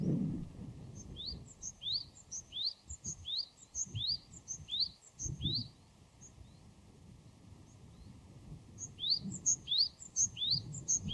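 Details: Wild Japanese tit repeating a two-part phrase of a high short note and a rising whistle, in a long rapid run, a pause, then more, with low background rumble.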